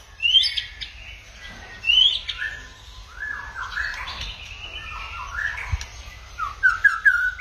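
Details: White-rumped shama song in a many-voiced style: sharp upswept notes, then a stretch of jumbled, quick, descending whistled phrases, closing with a short rapid series of bright chirps; quiet low hum behind.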